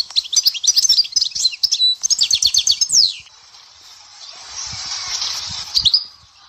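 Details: European goldfinch from the Dahouara sector of Souk Ahras singing a fast, twittering run of high, jangling notes for about three seconds, a brief pause mid-phrase, then a hissy background with one more short burst.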